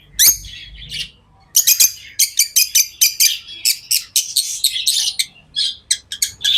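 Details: Tame lovebirds chirping in a fast, busy chatter: a lone squeak, a pause, then a steady stream of sharp, shrill chirps several per second.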